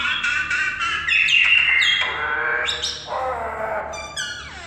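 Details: Common myna producing varied, harsh, squawky notes with sharp descending sweeps and falling whistles, shifting pitch unpredictably across the phrase.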